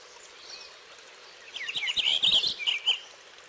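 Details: After a quiet start, a Purple finch bursts into a rapid, jumbled warble of bright notes, ending in a couple of separate chirps.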